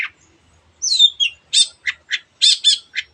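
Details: Long-tailed shrike singing energetically to prompt other birds to sing: a drawn-out, wavering whistle followed by a quick run of short, harsh, buzzy chattering notes.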